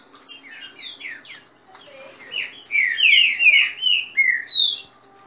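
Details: Captive green-winged saltators, kept by their owner and singing in dispute: a fast song with female calls and rain-song style, used to warm up other birds. Soft scattered high chirps, then loud, rapid, slurred whistled notes falling in pitch, in quick succession.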